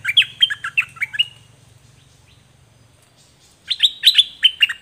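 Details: Dok Taeng bird singing, recorded in 2020 for teaching young birds to sing; a rapid series of sharp chirps, a pause of about two seconds with a low hum, then another loud chirping burst.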